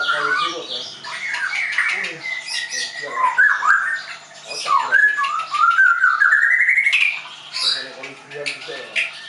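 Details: Caged white-rumped shama from a Tangerang bird school delivering a rich, varied song of harsh squawky notes, slurred whistles and a long rising trilled run near the end.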